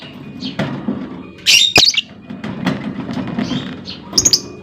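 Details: Female lovebird calling as a lure, meant to prompt other lovebirds to answer with long trills; two brief shrill, high chirping bursts stand out over a low background murmur, with faint scattered chirps between them.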